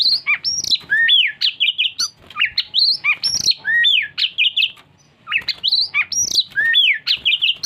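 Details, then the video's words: Oriental magpie-robin, locally called kacer, in loud rich song: clear whistled notes sweeping up and down in rapid phrases, repeated in similar sequences about every two to three seconds, with sharp clicks between. "Burung Kacer ngajak Ngopi"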